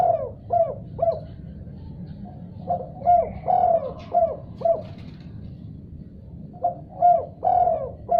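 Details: Spotted dove answering another call with repeated cooing phrases: quick runs of short soft coos with one drawn-out note, separated by brief quiet gaps, against a faint low hum.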